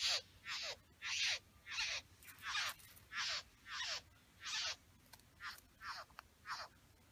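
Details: Satin bowerbird male at the bower with females nearby: a rapid series of coarse, buzzy, down-slurred rasps, about eleven in seven seconds, some louder and some softer, against a still background.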